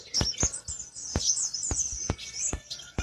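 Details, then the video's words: High, thin twittering of a black-winged flycatcher-shrike, continuous sweet chirps broken by about eight sharp, evenly spaced clicks. "pentis kumbang,suara asli"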